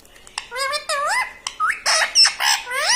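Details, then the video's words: Pet talking parrot (tota) indoors in a small room, said to say 'Mitthu', 'Papa' and 'Mummy'; a rapid run of short, harmonic, wavering syllables, some rising and falling in speech-like swoops, with a few sharp clicks. "Talking parrot _Mitthu Mitthu _ Tota _ Papa Mummy Bolne Wala Tota"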